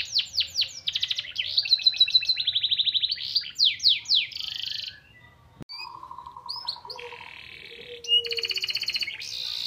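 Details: Canary delivering white-eye (pleci) style phrases, used to raise other birds' arousal. Quick falling whistles run into buzzy trills and strong swept notes, then a quieter gap with soft low rattles before loud high trills resume.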